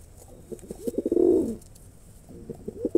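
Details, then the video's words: Male pigeon performing: low cooing that begins with a run of clipped pulses, swells into one long rolling coo, then breaks into short pulses again. "কবুতরের অসাধারণ ডাক || Male Pigeon Super Performance"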